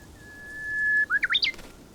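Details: Jeju Japanese bush warbler (Horornis diphone) territorial song during a playback of local Jeju song: a steady whistle of about a second, then a bright up-and-down flourish of three or four notes. A warbler aggressively attacked a stuffed decoy.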